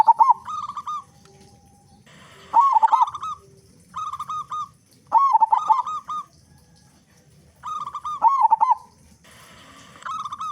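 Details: Loud song of a local zebra dove, a lure for getting other doves to call: rolling, wavering bursts each trailed by a string of flat coos, repeated roughly every two and a half seconds.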